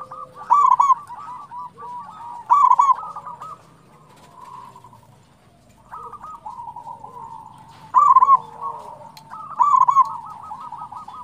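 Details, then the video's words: Singing local zebra doves used to prompt other doves: four loud bursts of fast, bubbling coos in two pairs separated by a quieter stretch, with softer cooing from more doves running underneath. "PANCINGAN PERKUTUT LOKAL GACOR"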